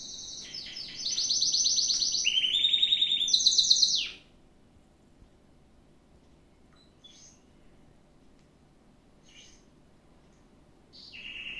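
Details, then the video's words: Gloster canary in full song for four seconds, fast trilled tours shifting abruptly between high and middle pitches, then near silence broken by a few faint notes and a final trill. "Canto do Canario - Best Canary Singing - Gloster"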